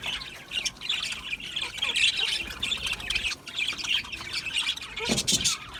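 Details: Flock of budgies chattering, with a steady run of rasping warbled chirps and a louder abrupt squawk burst near the end.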